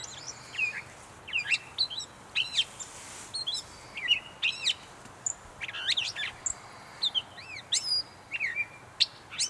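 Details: Gray catbird from North Tetagouche, New Brunswick, giving a long string of sharp, varied chips and slurred squeaky phrases at an uneven pace, one every second or so.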